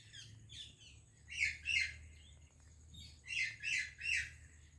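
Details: Indian parrot greeting a Pakistani parrot: soft, muffled squawks at first, then a loud pair of grating calls, a pause, and a triplet of harsh squawks.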